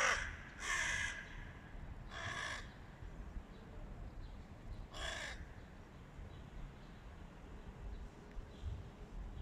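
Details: A tribe of Hooded crows against a stray cat: two quick harsh caws, then two more spaced calls a couple of seconds apart, fading into low rumbling outdoor noise.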